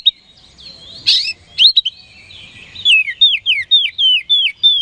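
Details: Kacer, the oriental magpie-robin, sings a lure phrase to make rival birds respond fast: a sharp burst and scattered whistles, then a series of seven ringing downward-sweeping whistled notes at a steady quick pace.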